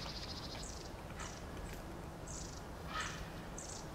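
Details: Japanese pygmy woodpecker, after sitting still for a long time, suddenly becomes active and moves around; faint, short, buzzy high-pitched notes come in a loose series about every half second over a steady low rumble.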